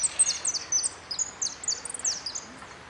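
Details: Contest goldfinch at an interclub cup closing round, 04-03-18, pouring out continuous high, tinkling twitters and quick descending chirps with no pauses, bright and metallic in tone.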